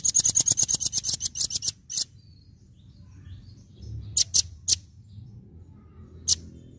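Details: Velvet-fronted nuthatch in the "tembakan" (shooting) song style, used for training other birds to sing: a rapid burst of about a dozen sharp, very high chips in under two seconds, then a pause and scattered single chips over a low hum.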